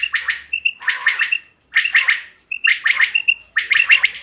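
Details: Common quail lure call for hunting, dated 5 June 2025: five sharp three-pulse phrases, several introduced by a short soft whistled note, repeating roughly every 0.8 seconds.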